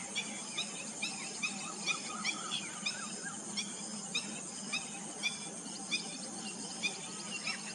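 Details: Black-breasted weaver giving rapid, short chirping notes in quick bursts, mostly high and sharp, repeated through the clip over a steady high-pitched hiss and a low background hum.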